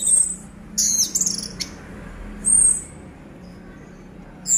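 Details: A caged orange-headed thrush sings steadily even while its cage is shaken: high, thin whistled phrases in short bursts, a tangled twittering run, then pauses; faint low hum underneath.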